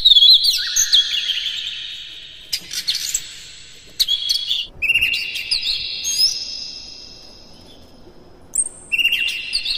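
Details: A morning lure for captive birds: Oriental magpie-robin song of warbling high whistles, then a pause and a second phrase of long, ringing whistled notes on two pitches, closing with a brief chirpy burst.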